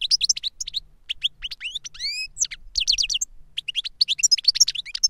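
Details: European goldfinch singing reclamo song in captivity, a master bird whose song was taught to a novice through a CD. Dense tinkling twitter with quick rising whistled slurs and short gaps, faint low hum beneath.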